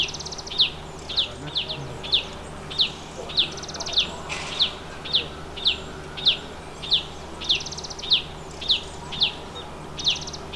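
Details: Chestnut-bellied Nuthatch at its nest hole in the Himalaya giving short, sharp high notes, roughly two every second at an uneven pace, with a faint hum beneath.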